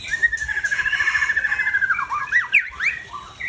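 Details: White-rumped shama, known as murai, a breeding bird with a 21 tail, sings a long rapid trill of even whistled notes for nearly two seconds, then a few loud sweeping upward and downward whistles.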